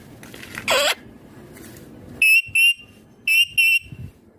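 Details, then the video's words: A pet green ringneck parrot gives one harsh screech, then two pairs of clear, steady, high whistled notes, each pair quickly repeated, in a quiet room. "My Ringneck Green Parrot Talking Natural Sounds"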